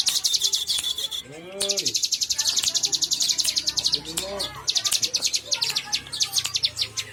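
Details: Bar-winged prinia, called ciblek locally, singing fast bursts of high, buzzy repeated notes in several long runs, broken by short gaps, with low background hum and a few other chirps.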